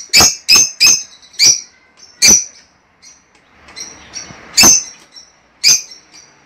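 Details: Lovebirds making a mating call for breeding: a quick run of four sharp squawks, then spaced single shrieks with faint high chirps between them.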